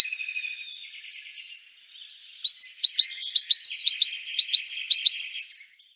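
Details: One of the different calls of the great tit: faint high whistles and a soft buzz at first, then a quick, evenly spaced string of sharp, high two-part notes lasting about three seconds.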